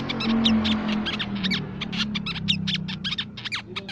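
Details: Crimson sunbird, played as a lure sound for songbirds, a nectar-eating bird of shrubs, plantations and forest: dense, rapid, high thin chirps and twitters in quick bursts, over a steady low hum.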